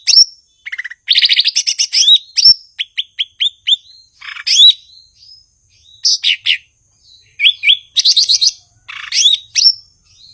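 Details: Blue-winged leafbird (cucak ijo, Chloropsis cochinchinensis) in energetic 'gacor' song: rapid series of bright rising whistled notes mixed with harsh buzzy trills and chattering bursts, phrases separated by short pauses.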